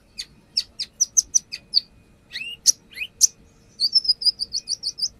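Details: A brown-throated sunbird in vigorous song, recorded as a lure and showing off its fill-in phrases: repeated slurred downstrokes, a rising sweep, then a steady series of about eight short high whistles.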